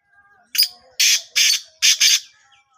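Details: Black francolin in Sindh, Pakistan, giving its rhythmic call: one short note, then three loud scratchy notes, the last stuttered in two parts. Soft faint tones lie underneath.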